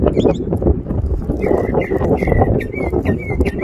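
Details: Songbird singing in a tree: after a brief high twitter, a series of short clear whistled notes repeated about every quarter second, over heavy low rumbling background noise.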